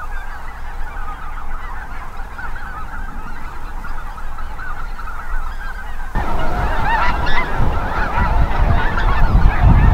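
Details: Mixed migrating geese, Snow, Greater White-fronted, Ross's, Canada and Cackling, at North Ottawa Impoundment, Minnesota. A steady chorus of overlapping honks; after about six seconds strong gusty wind rumble rises while sharper, nearer yelps stand out.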